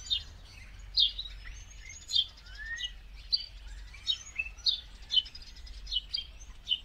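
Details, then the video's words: Common starling, a winter migrant back in India in huge flocks, sings a busy jumble of high chirps, clicks and slurred whistles, some gliding up or down, over a low background rumble. "Common Starling Call Song"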